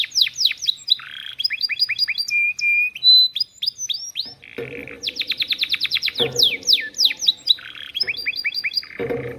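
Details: Canary singing a long song filled with lovebird-style phrases: fast repeated high sweeping chips in rapid series, short steady whistled notes and buzzy rattling bursts, continuous and loud with barely a pause.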